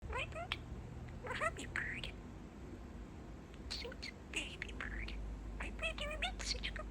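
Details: Pet male budgerigar chatting up close indoors, mixing favorite phrases such as "What Bird?"; soft warbled, speech-like syllables in short bursts over a low steady hum.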